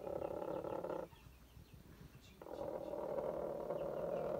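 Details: Hen growling in a cage while fighting over space, one having just laid an egg she means to sit on; low rough buzzing growls with harmonic bands, a long growl, a pause, then a sustained second growl.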